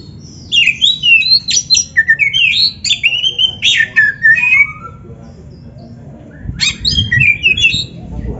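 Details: Varied, rapid song of an Oriental magpie-robin, used as master material to train beginner or lazy kacer: quick whistled and chirped notes jump between pitches for about five seconds, pause, then resume.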